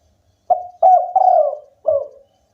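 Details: Local spotted dove in full, vigorous song: a short opening coo, then a longer coo, a long drawn-out wavering coo, a brief pause and a final falling coo, all low and mellow.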